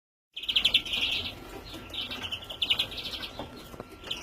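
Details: Young European greenfinch, 2017: bursts of harsh, buzzy chirps near the top of the range, loudest at first, then repeated in shorter rasping groups, with a steady faint whine in the background.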